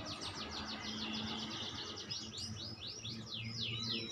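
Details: Oriental magpie-robin played as therapy to bring out a fast, prolific gacor song: a dense run of quick, high chirped and trilled notes over steady low background hum.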